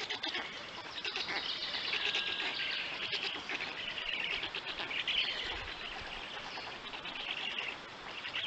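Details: Black storks at a nest in Poland give a steady, raspy, high-pitched wheezing chatter without pause, with faint chirps mixed in, during feeding time at 3:55 p.m. on 31 May 2020.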